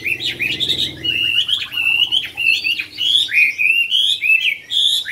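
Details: Caged yellow-billed Chinese hwamei singing at a home in Vietnam, loud and close: a fast stream of rich whistled notes, each sharply rising then falling, in a continuous ringing phrase.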